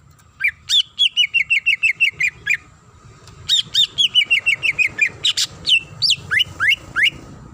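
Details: Female greater green leafbird calling a male: two fast bursts of bright, descending chirps, each run of about a dozen notes, ending in separate upswept and downswept whistles over a constant low background hum.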